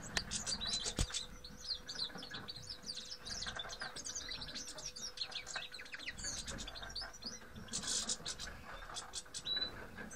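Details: Several grey-headed goldfinches (Carduelis caniceps) in a dense twittering chorus of quick high chirps and short trills, overlapping throughout, with a steady low hum underneath and a faint thump near the start.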